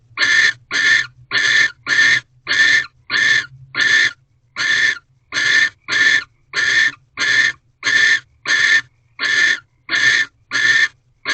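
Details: Nighttime nest-box recording at Corral, February 2023: barn owl pair during mating, the male arriving with another mouse; about nineteen strident wheezy screeches repeated steadily, roughly every half second to second, with a low electrical hum.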